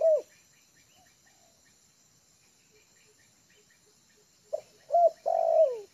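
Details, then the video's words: A spotted dove trained as a lure bird, calm on yard ground, makes a single hooked coo, a quiet gap with soft regular ticks, then a phrase of short notes ending in a long descending coo. "TEKUKUR AJARAN UDAH MULAI NYAMAN DI LAMAN"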